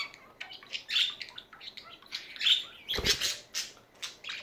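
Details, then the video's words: Pet budgerigars chattering indoors: a dense run of short, bright chirps and warbled squeaks, some overlapping, with a sharp clack near the middle of the stretch. "Hours of chatting budgies"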